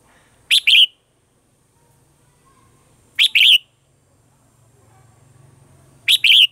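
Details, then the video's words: {'caption': 'Morning song of a red-whiskered bulbul in the mature wild-forest style, used as a lure for training caged birds: three clear two-part phrases, a sharp note then a warbled whistle, roughly every 2.7 seconds, over a faint low hum.'} "Luyện giọng cho chào mào hót sáng, chào mào hót giọng già rừng hay tuyệt"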